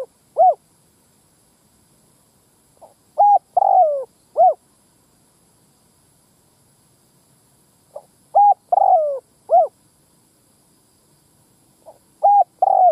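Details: Spotted dove lure call used to draw in males and females: low cooing phrases of a short coo, a longer falling croo and a closing coo, repeated roughly every four to five seconds over a quiet background.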